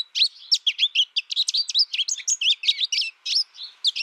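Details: Singing American goldfinch raised in isolation with a tutor recording: a chattering series of short chirps, each quick and slurred, some notes bending upward, in a steady rhythm of about four seconds.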